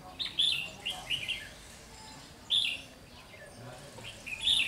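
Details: Red-whiskered bulbul acting as a trapping decoy, 30 June 2020, giving clear, bright whistled phrases in quick groups of two or three, then a pause and further single phrases. The background is quiet.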